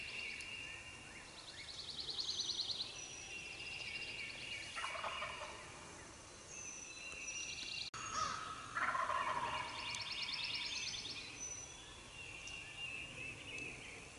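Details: Eastern gobblers, wild turkeys in Mississippi, calling early on a hunting morning. Two rolling gobbles sound at a distance, near the middle and again a few seconds later, under a steady chorus of high-pitched songbirds.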